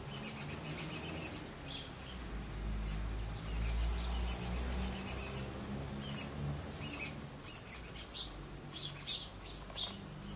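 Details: A shiny cowbird chick, a brood parasite raised by a rufous-collared sparrow (tico-tico), begs while being fed by its foster parent: rapid, high, thin chirps, several each second, in insistent bursts, over a steady low rumble of wind or distant traffic.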